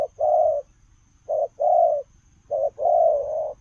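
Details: Spotted dove giving 'lèo rồng' style coos as it runs. Soft hollow phrases repeat, each a brief note leading into a longer sustained coo, the final one stretched out.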